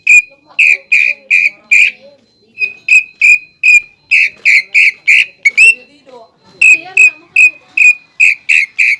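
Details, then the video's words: {'__str': ''} "CUCAK IJO GACOR ISIAN PELATUK BAWANG"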